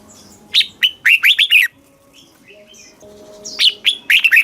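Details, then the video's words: Red-whiskered bulbul, a caged Thai bird, sings in the southern master-song style used for stimulating and tutoring birds: two quick phrases of bright, bubbling whistled notes, each note swooping down, with a thin faint whistle between them. "เสียงนกกรงหัวจุก สำหรับต่อ หรือ เปิดให้นกคึก"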